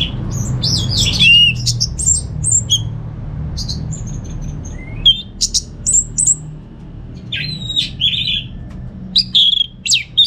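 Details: Receh song from a kept orange-headed thrush in North Bali, Singaraja. Scattered high chips, whistles and twittering bursts come in irregular groups over ten seconds, with quieter gaps between them.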